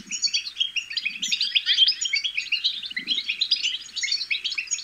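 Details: Young European goldfinches babbling, a sound meant to motivate goldfinches to sing: steady, crowded high twittering and chirping, fairly even in loudness, with only a few faint low rustles.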